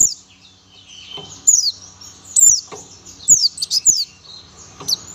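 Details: A young Oriental white-eye (buxtoni) delivers its tembakan song, high sweeping whistles sliding downward, clustered notes near the end, separated by short quiet gaps with soft clicks.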